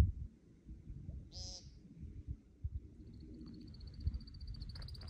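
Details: An American woodcock (Scolopax minor) calling and taking flight gives one short, buzzy nasal note, then a second later a rapid series of thin, high twittering notes, over steady low rumbling background noise.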